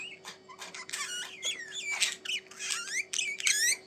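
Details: Budgerigars, kept as pet birds indoors, chattering in a fast warble of short rising and falling chirps and squeaks, tightly packed and continuous, over a faint steady room hum.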